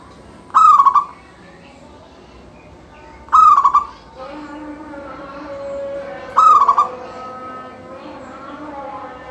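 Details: Local zebra dove in full song, singing to set off other doves: three identical phrases at roughly three-second intervals, each a bright sustained coo followed by fast stammering notes, over a droning low hum.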